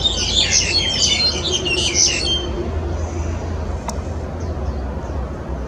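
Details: Black-collared starlings in Yuen Long, Hong Kong, on 14 January 2018: a burst of harsh, chattering squeaks for about two seconds, then quieter, over constant low traffic rumble.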